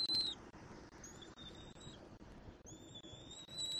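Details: Bald eaglet on its nest in Southwest Florida on 17 February 2024, during feeding and tug-of-war with its mother over a pelt: thin, high whistled cheeps, drawn out and level, several in sequence over a steady wind-like background.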